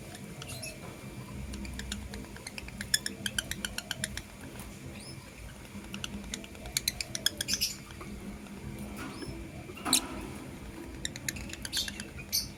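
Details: Blue opaline and green personata lovebirds in the morning. Rapid runs of dry, high clicking chatter in bursts, with occasional short shrill chirps, including a louder squeak near the end, over a low steady hum.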